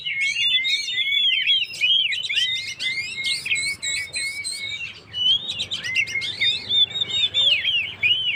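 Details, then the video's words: Rousing 'gacor' song of an Oriental magpie-robin, played to provoke stressed birds. Dense, rapid phrases of whistles, trills and buzzy chatter follow one another almost without pause, with a low background hum. "suara burung Kacer gacor// naikan emosi//pancingan burung stress"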